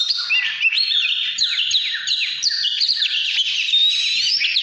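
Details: An Oriental magpie-robin delivers 'căn lửa' style song: fast, varied high whistles with rapid downslurred notes packed closely together, sung without pause.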